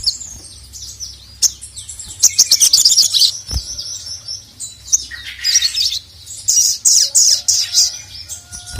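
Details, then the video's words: Crimson sunbird in full voice calling a male, a training recording: sharp, high chips building into fast, sibilant chattering, a dip into slightly lower twitters, then loud, rhythmic, high bursts. "SOGON GACOR MEMANGGIL JANTAN"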